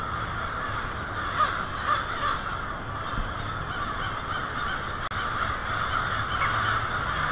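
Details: Massive American crow roost in Lansing, Michigan, evening of February 1, 2016; continuous layered cawing with a few louder individual caws standing out and a brief dropout midway.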